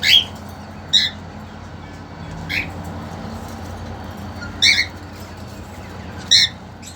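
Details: Short ringing cockatiel calls, five of them roughly every one and a half seconds, recorded in a cage holding a mating-eager male and a two-month-old female.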